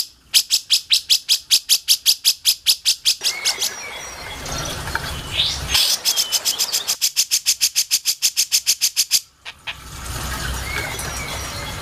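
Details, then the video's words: Grey-cheeked bulbul, kept for teaching songbirds, giving a long, even series of harsh, scratchy strokes, roughly two per second, broken by a short pause of noisy rustling before the rattle resumes. "burung masteran handal buat kicau mastering //cucak jenggot"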